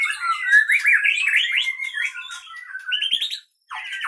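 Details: White-rumped shama from the Leuser Pining area of Gayo Lues, Aceh, in fighting mode in its cage: rapid rising and falling whistled notes in a long, sharp run, then a short pause and a final descending phrase.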